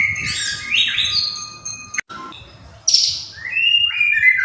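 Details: White-rumped shama singing gacor, with varied whistled phrases, a brief break, then a harsh high burst followed by clear mellow whistles, over faint low background rumble.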